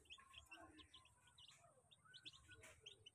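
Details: A crowd of feeding chicks heard faintly, with quick high cheeps repeating over a hissy, rumbling background.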